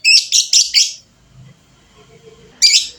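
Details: A fighter lovebird gives a rapid string of four screechy, high chirps within one second. After a quiet gap with faint low rumbling, another harsh burst follows.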